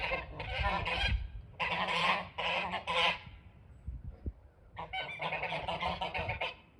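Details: Geese at a house's front porch honk loudly in harsh, nasal bursts. Several calls overlap at about one per second, with a brief pause midway before the honking resumes.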